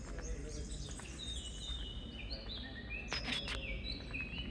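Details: Common blackbird (Turdus merula) singing in the quiet cloister garden of Santa Chiara Monastery in Naples' old centre, Italy, alongside serin and blackcap: clear whistled phrases, some level, some rising, with brief sharp high notes and a low background murmur.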